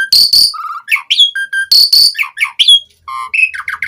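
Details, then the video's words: Energetic gacor singing of an Asian pied starling, full of varied fillers; harsh noisy bursts alternate with short whistles and buzzy falling phrases, with a brief pause near the end. "Suara Jalak Suren Gacor Full Isian ANTI MACET Saat Musim Hujan/Kemarau Pancingan TERAPI Burung Jalak"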